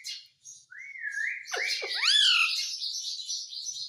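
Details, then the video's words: Indian ringneck parakeet kept as a talking pet starts with a clear rising whistle, then breaks into loud arching harmonic squawks followed by continuous dense raspy chatter. "Bolne wala tota - mummy mummy bolta tota - talking parrot - mitthu mitthu"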